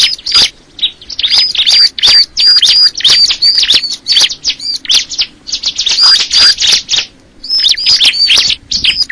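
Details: Long sequence of bar-winged prinia song, strings of high sharp chirps and ringing whistles in rapid bursts, each group broken by short silences.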